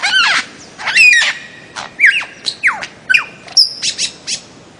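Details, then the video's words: Bird-of-paradise calling: loud harsh squawks alternate with clear whistled notes, some sharply downslurred and others held level, in an irregular series of about a dozen bursts. "kicau burung cendrawasih"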